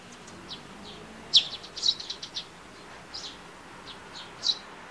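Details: Eurasian tree sparrows calling in the morning; short bright chirps come in loose clusters and singles, irregularly spaced, against a quiet background.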